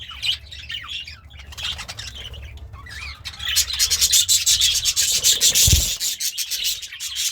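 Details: Pet budgerigar, said to be happy and eating greens, chirps softly at first, then a loud rhythmic rasping sound, like fast scraping, takes over.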